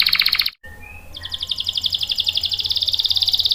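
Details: Canary song played to lure and train young and stalled canaries: a bright pulsed trill cut short, a soft rising whistle, then a building, rapid high trill of repeated chirps.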